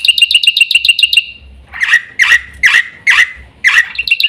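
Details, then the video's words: Black-winged myna, local name jalak putih, giving a fast series of about ten metallic ticking notes, then five loud harsh squawks spaced roughly half a second apart. "burung jalak putih"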